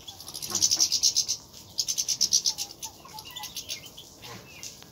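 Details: A group of wild European goldfinches in nature: two bursts of rapid, high, tinkling notes, each run about a second long, followed by softer scattered twittering chirps.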